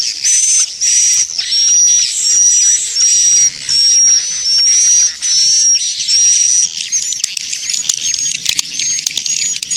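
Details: Swiftlet lure sound: a steady run of buzzy, hissing notes with a thin whistle, about one per second for six seconds, then a stretch of fast high clicking chatter.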